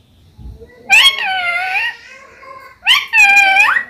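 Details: Hindi-speaking parrot known for saying "mummy": two drawn-out, nasal, speech-like phrases. The first lasts about a second, and the second comes after a short pause, ending with an upward inflection.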